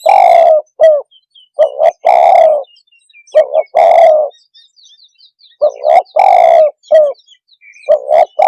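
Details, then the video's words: Spotted dove call used to agitate other birds: repeated double coos and long coos, while faint high chirping notes from smaller birds run in the background. "Suara kicau Burung TEKUKUR cepat membuat Emosi burung - TEKUKUR鸟的声音"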